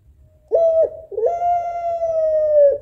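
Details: A female puter pelung African collared dove calls for the male with a short coo, then a long, smooth, level note that trails slightly downward, loud and clear against a quiet low rumble.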